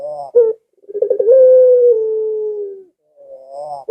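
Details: Barbary dove cooing, a recording used to lure pet doves at home into calling: a soft rising hum and short note, then a fast rolling trill that settles into one long, steady, low coo, with another rising hum at the end.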